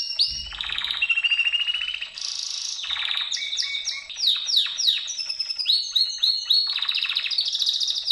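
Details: Canary song from a Gloster or Yorkshire bird: high rolling trills alternate with sweeping downslurred whistles, phrases changing every second or so, with a short low thump near the start.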